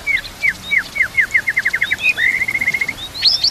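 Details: White-rumped shama training song with canary-like fill phrases, over water and nature sounds: a rhythmic run of about twenty quick downslurred notes, then a rapid rattling trill and high sweeping whistles.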